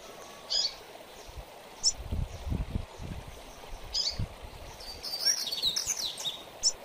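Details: Spaced high chips and a final rapid trilled phrase from a double-collared seedeater singing the mateiro style used for training, over low knocking and handling noises.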